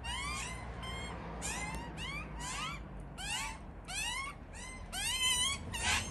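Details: Australian magpie from a family raising chicks: rising, harmonic squealing calls repeated in short bursts, about ten in six seconds, some doubled, over a faint background hiss.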